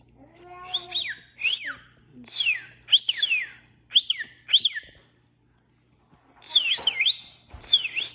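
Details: A pet talking cockatiel gives bright, repeated whistles with rising and falling slurred notes.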